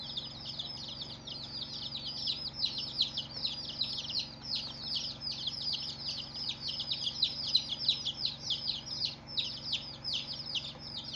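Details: Chicks on their first day after hatching, a flock cheeping continuously with bright, high, descending peeps crowding over one another in an even, unbroken chorus above a low background hum.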